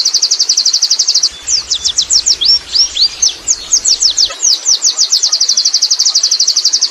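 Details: High rolling song of a wild Oriental white-eye, ngerol style: fast regular chirping trills open and close the phrase, with a middle run of spaced, sharply bent whistled notes; faint low rumble briefly underneath.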